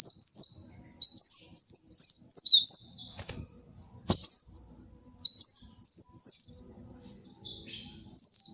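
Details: Busy sunbird song for bird tutoring and luring: tumbling chains of high, stepped down-slurred whistles, several phrases in quick succession, with two sharp clicks in the background.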